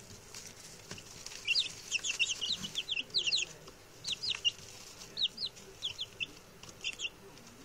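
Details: Six newly arrived male chicks, settling in and chatty, peeping: high thin downward-sweeping cheeps in quick clusters, several birds overlapping, over faint background hiss.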